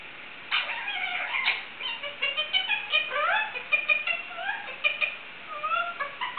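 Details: Indian ringneck parakeet kept as a pet, trying to sing: a rambling string of whistled upward and downward glides, short chirps and warbles, varied and continuous.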